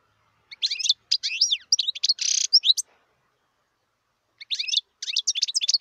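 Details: Wild European goldfinch giving two twittering song bursts about a second and a half apart. They are lively, high, tinkling chirps with one buzzy, rasping stretch in the first phrase.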